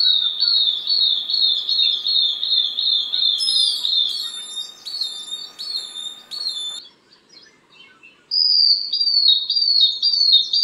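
Long-tailed Broadbill giving high, shrill whistled notes, first as a rapid quavering run, then in short separate bursts, with a faint steady hum behind.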